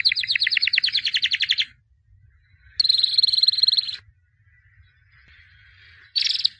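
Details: Albino white canary, a 2017 champion, singing during training: a rapid rattling trill, a pause, a high buzzy sustained trill, another gap, then a short loud burst.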